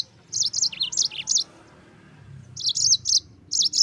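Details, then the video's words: Yellow-fronted canary song for training other birds: lively high-pitched chirps strung into quick phrases, a brief silence, then further bright repeated notes. "PALING JITU untuk MASTERAN BURUNG PLECI - dengan suara Mozambik gacor ngerol nembak durasi."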